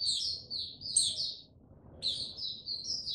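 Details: Mata puteh, a male white-eye, easing toward its Tsunami song, dated 06032022: two bright high twittered phrases about a second long, separated by a brief silence.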